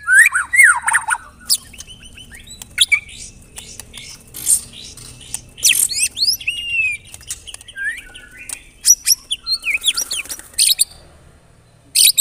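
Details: Murai batu, the white-rumped shama, a skilled mimic, in a long varied 'tembakan rapat' song: loud warbles, sharp chips, buzzy bursts and sweeping whistles scattered over twelve seconds with brief quieter gaps.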